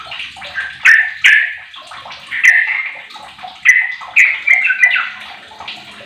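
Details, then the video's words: A sooty-headed bulbul of 15 years, kept as a lure to get other bulbuls singing, gives short loud whistled phrases separated by gaps, with sharp clicking sounds scattered through. "Trucuk Apapun 100 persen gacor dengan pancingan trucuk umur 15th ni"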